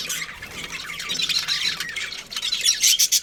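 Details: Breeding colony of budgies with a pair, continuous scratchy chatter and high chirps, growing louder with sharp squawks in the final second.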